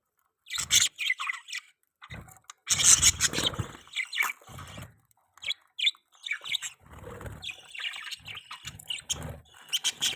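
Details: Pet budgerigars chirping during mating: bursts of bright, scratchy warbling and sharp high chirps, broken by short pauses, with a dense rasping chatter near three seconds and scattered quick tweets afterward.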